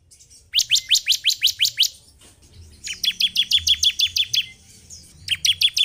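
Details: Bar-winged prinia singing, played to provoke a caged bird into excitement and song; two long trains of quick, high, clipped notes, the second denser, then a third run starting at the end.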